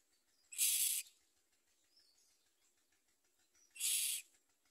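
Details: Common myna chicks at the nest with their mother: two raspy hissing bursts about three seconds apart against a low background hum.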